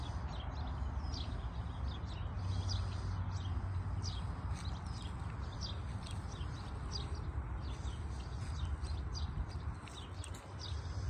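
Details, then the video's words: Spring birdsong beneath a cloudy sky, a dense run of quick high chirps and ticks, irregular and overlapping, carried over a continuous low rumble. "Cloudy sky birds singing and spring!"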